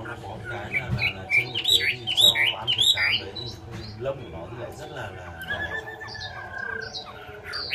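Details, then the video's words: Chinese hwamei singing: a burst of loud, rapidly rising and falling whistled phrases in the first seconds, then softer notes as a man talks over the bird. "chim họa mi"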